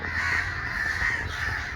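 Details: A large gathering of crows, said to have been disturbed by someone and calling together as if in protest or to attack. Many caw at once in a dense, unbroken chorus of harsh, overlapping calls over a steady low rumble.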